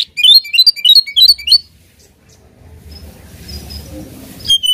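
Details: Oriental magpie-robin, singing to goad a rival, gives a rapid run of bright, chirping notes, then falls quiet apart from faint background hum before one last high note.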